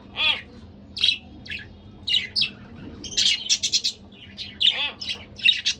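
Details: Pet budgerigar pair in lively exchange: steady run of bright chirps, warbled notes and a rapid buzzy stutter in the middle, over faint low hum.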